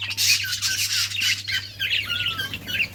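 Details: Budgerigars playing together, giving dense scratchy chatter and short squawky chirps almost without pause, with a sliding whistled note near the end over a faint low hum.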